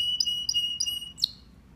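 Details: Male domestic canary singing: a steady high whistled tone with short bright chips repeated about every quarter second, closing with a downslurred note before fading.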